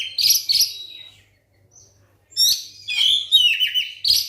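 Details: White-rumped shama singing a lure song to trigger other shamas: two sharp high notes, a second of silence, then a burst of descending whistles and chattered trills, over a faint low hum.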